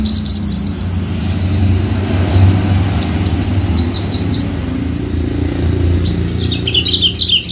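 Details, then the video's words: Horsfield's bushlark of the javanica type, kept for bird-singing competitions in Java, utters scattered high thin chirps in short clusters over a steady low rumble of background noise. "KICAU MERDU BRANJANGAN JAVA"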